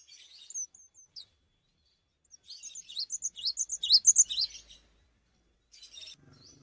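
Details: Gacor Cinereous tit, singing steadily without hopping: scattered high chips, then a quick burst of repeated piercing two-part notes that builds and fades, followed by a short buzzy call.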